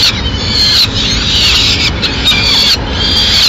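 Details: Peregrine falcon nest, Madrid, 6 May 2016, as the female brings a pigeon: rapid run of harsh, shrill wails, about four bursts in a few seconds, with low background rumble.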